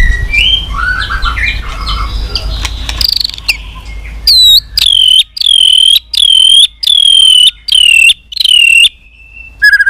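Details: White-rumped shama in 'tạch' song for stimulating weak birds: after a jumbled, noisy opening, seven clear loud whistles of even pitch repeated about every half second, ending with a brief softer phrase.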